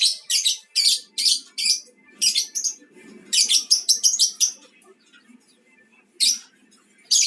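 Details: Lovebird of the mangsi colour type, played as a lure to stimulate other lovebirds to sing: bursts of harsh, squeaky, high chirps in quick runs, some packed into rapid chatter, separated by short silent pauses.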